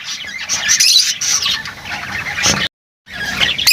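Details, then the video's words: Shrill lovebird chatter with squeaky whistled notes, broken by a brief silent gap before the calling resumes. "Huni ng Lovebirds | Love birds Singing [ Call Sound ]"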